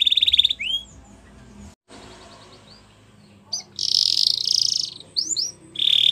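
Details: Canary song used for training young canaries: bursts of high trills and upslurred whistles separated by a near-silent gap, then a loud dense buzzy phrase and short rising notes.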